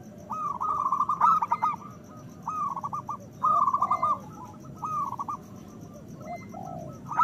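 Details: Local zebra dove (perkutut) in full song, used as a lure to raise breeding desire and prompt quiet doves to call: bursts of rapid, staccato cooing notes in short rolling phrases repeated about every second, with softer lower coos and steady background hiss.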